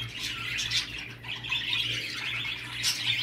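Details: Budgerigar mating-stimulation sound: harsh squawky chatter mixed with warbled twitters, loud throughout with brief dips, over a persistent low hum.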